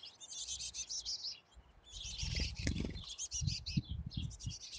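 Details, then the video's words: Female black-capped chickadee hissing in defence against a house sparrow and fighting back: broad, noisy, rasping bursts in pulses, a pause, then longer harsh hissing, with thumps and scuffling below. "Chickadee Hiss Vocalization"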